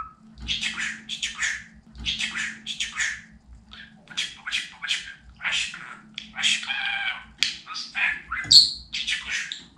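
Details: A talking pet budgerigar chatters in fast bursts of raspy, speech-like syllables, grouped in short phrases with brief pauses, over a faint low hum.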